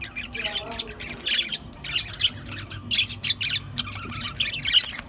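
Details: Budgerigars chattering and squawking densely, harsh buzzy notes and chirps in quick bursts throughout, with a low hum underneath.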